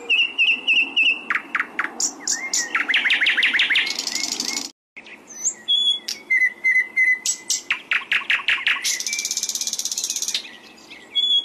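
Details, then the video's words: Singing flycatcher on a masteran training track for cage birds: loud high chirps and whistles, quick series of sharp ticks, and two harsh buzzing trills, with a brief silent gap midway. "SIKATAN LONDO MASTERAN PALING DI CARI BURUNG JUARA"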